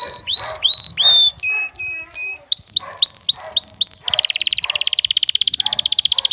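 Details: Excited male canary courting a female, which answers with her call: varied whistled upslurred notes, some lower paired chirps, a run of quick rising whistles, then a prolonged fast buzzy rattle.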